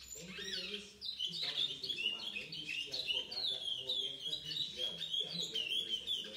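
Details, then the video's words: A young chestnut-bellied seed finch, seven months old, gives a steady series of pure whistled notes after a brief opening flourish, mostly level in pitch with small rises. Soft low background sounds continue throughout. "Curió Pardo - 7 meses"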